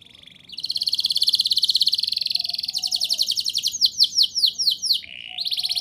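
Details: Loud rolling canary song for stimulating young canaries to sing; a soft opening note leads into a long sustained rapid trill, then a series of falling swoops and another fast trill.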